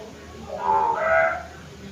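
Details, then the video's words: Hill myna giving a short, tonal call of two harmonic notes, the second higher and longer, lasting about one second over a faint, steady background hiss. "pancingan suara burung beo"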